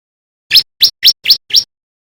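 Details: Male white-breasted bar-winged prinia learning to sing, delivering five sharp, upward-sweeping high chirps spaced about a quarter second apart, with silence around them.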